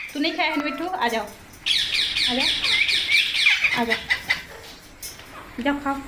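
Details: Indian baby parrots being fed by hand: after a man's voice, a burst of rapid, harsh, rasping squawks and chirps, layered and overlapping for about two seconds, then fading, with speech returning at the end.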